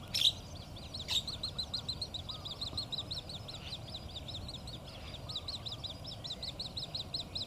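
An Australasian grebe chick gives a steady stream of thin, high peeping notes, several per second, with a couple of sharp clicks and a soft lower call behind.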